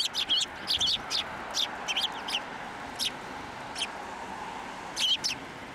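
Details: Sparrows at a Tenmangu shrine on 10 December 2023, flying onto a hand to take food; sharp high chirps in quick clusters, some doubled, scattered through the clip over a soft background hum.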